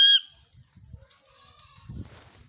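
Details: A pet Indian ringneck parakeet in a happy mood in a Mewar village gives one loud, shrill, nasal squawk at the very start, followed by faint thin notes and low background rumbling.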